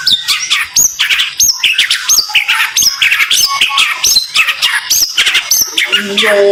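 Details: White-rumped shama (murai) rapid training song: sharp upswept whistles repeated about twice a second over busy chattering notes, high and piercing throughout.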